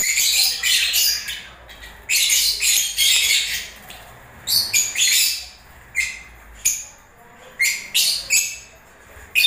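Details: Lovebirds during breeding season giving short sharp chirps and squeaky bursts, grouped in clusters of two or three, with irregular pauses and a low background hum.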